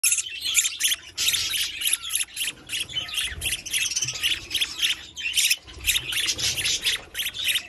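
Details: Budgerigar chicks give harsh, raspy squawks in rapid, overlapping bursts while begging, as both parents feed them.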